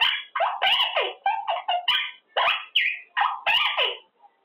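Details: Pet Quaker parrot, male, practising words during cage time: a fast string of scratchy, speech-like mimicked syllables, some rising and falling, packed closely together.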